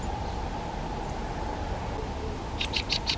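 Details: A Fieldfare gives a quick run of four harsh, dry chack notes near the end, after a stretch of steady background hum.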